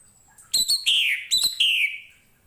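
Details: Orange-headed thrush song recorded for tutoring other songbirds: two linked phrases, each starting with sharp clicking high notes and flowing into a downward-sliding, buzzy whistled warble, the second phrase following closely after the first.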